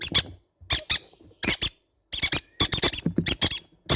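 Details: Baby green-cheeked conure parrots keep up a busy series of harsh, broadband squeaks, paired notes breaking into fast runs of about eight in a row.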